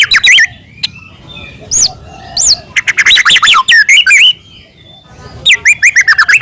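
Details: Medan-type white-rumped shama singing continuously with filler phrases, meant as a lure to excite other shamas; loud bursts of looping whistled notes and quick chirps, broken by near-silent pauses.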